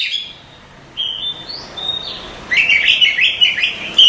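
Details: Oriental magpie-robin masteran training song. Drawn-out pure whistles rise and level off, then give way to a rapid, rolling trilled phrase repeated several times.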